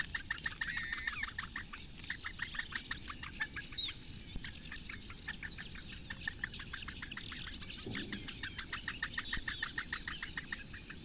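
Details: Eurasian bittern chicks, four in a reedbed nest at Lake Engure, Latvia, fed by their mother on a May 2017 morning, keep up a fast series of short clicking begging notes, briefly pausing midway, with a low grunt near the end.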